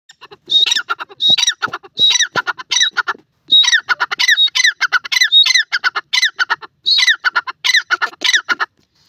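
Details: A partridge in forest gives loud, harsh, ringing calls. Each note drops sharply from high to lower pitch and comes in rapid rattling bursts of three to five, repeated over and over with short pauses between.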